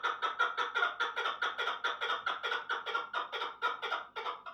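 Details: Steady series of loud, throaty chucks from a chukar partridge, evenly repeated a little over two times per second and slightly fading near the end.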